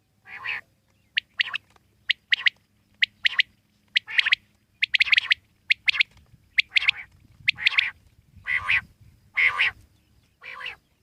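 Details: Wild common quail calling steadily, its sharp three-note phrases mixed with broader, harsher rasping notes, repeating roughly once a second over faint low background hum.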